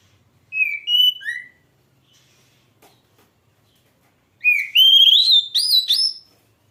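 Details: Oriental magpie-robin giving two bursts of strong whistled song. The first is a short set of falling and rising notes. After a quiet gap comes a longer phrase of notes that climb step by step. The background is nearly silent.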